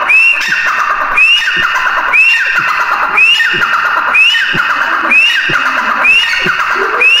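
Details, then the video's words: Grey francolin (teetar) calls, including chicks: a loud harmonic note swinging sharply upward then sliding down, repeated about once a second in a steady series, with faint low thuds beneath. "Teetar ki awaaz | Teetar Ki Awaz | Irani teetar ki awaz | teetar awaz | teetar chicks sound"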